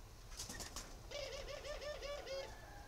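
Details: Spotted dove from a breeding farm in Ba Vì, northern Vietnam. Low cooing notes in a quick wavering series run for about a second and a half over a hissing, noisy background, after a few clicks.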